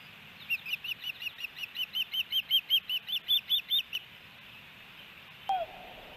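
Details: Osprey at a nest in Hellgate Canyon, Missoula, Montana, June 8, 2018, while the male feeds his chicks. A long run of roughly seventeen sharp, slightly rising chirps grows louder, then falls silent, followed by a single knock.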